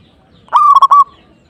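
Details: Zebra dove (perkutut, local birds), vigorous 'gacor' cooing said to provoke a rival into reacting: a single mellow hooting phrase of three or four quick pulsed notes, then a sustained tone, all at one low pitch.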